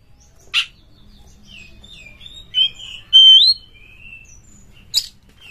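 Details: Oriental magpie-robin (kacer) lure song meant to boost its emotion for fighting: quiet, drawn-out whistled slides, one louder rising whistle in the middle, framed by a few sharp clicks.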